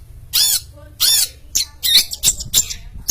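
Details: Champion long-tailed shrike singing actively, with two loud, harsh, buzzing rasps followed by a rapid jumble of sharp, squeaky chirps and scratchy notes.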